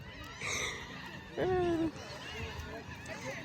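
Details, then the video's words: On a cold Florida beach at Pine Island at low tide, a gull gives one loud, nasal, slightly falling cry lasting about half a second, over people chatting and soft beach background noise. "You hear them seagulls?"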